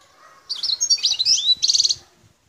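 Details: Song of a wild European goldfinch of the Algerian population, recorded at Bouthelja, El Tarf, Algeria: bright slurred twitters followed by a short, rapid, rattling trill, with faint low knocks in the background.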